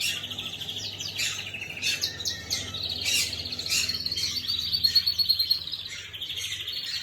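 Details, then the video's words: Canary singing, recorded 11/5/25: a long run of bright, high rolling trills and chirps, with a sustained fast trill near the end. Low steady hum underneath. "Chim Hồng Yến hót"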